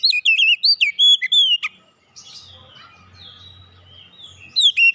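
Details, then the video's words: Kacer song of rich, fluty whistles, rising and falling in quick succession for over a second, then a quiet gap with a soft low hum before whistling resumes. "kicauan ampuh mempercepat pemulihan Kacer macet bunyi langsung gacor"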